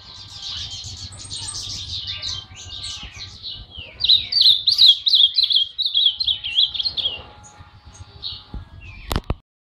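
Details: Monjita as its singing gets going: a soft, high twittering warble builds into a loud, rapid rolling trill. A couple of sharp clicks follow at the end.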